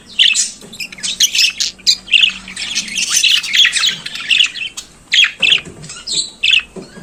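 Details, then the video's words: Budgerigar kept as a pet singing in the morning, giving a busy chattering warble of squawky, buzzy and squeaky notes packed together, with a brief lull near five seconds. "Periquito Australiano Cantando pela Manhã"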